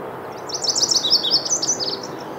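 Lazuli bunting song: a quick, high jumble of sweet chirps and short slurred notes tumbling together over about two seconds.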